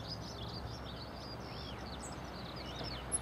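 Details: Male European pied flycatcher singing while on migration through Portland, Dorset: soft, high, varied warbling notes with a few slurred, arching phrases, over a steady low background rumble.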